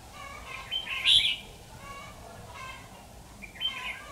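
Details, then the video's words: Red-whiskered bulbul of the 'Mí lửa' type giving fighting song while wild bulbuls are trapped, 13 October 2019; a few bright, warbled chirping phrases about a second apart, with a louder rising-falling burst in the middle and Vietnamese speech around it. "chào mào Mí lửa đấu lăng xăng"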